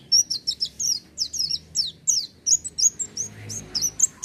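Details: Gacor oriental white-eye in full voice with no doping: a fast, dense run of high descending chirps and sweeping whistles, about three notes a second, in irregular bursts, low hum behind.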